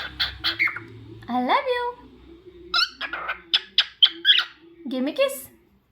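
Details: Cockatiel at home calls with harmonic chirps, a rising squawk, then a string of short sharp notes and a final rising screech.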